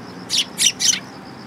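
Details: Sparrows arriving to be fed near a bridge in Japan, September 2022, give three loud, harsh chirps in quick succession over barely a second, against a faint continuous high-pitched whine.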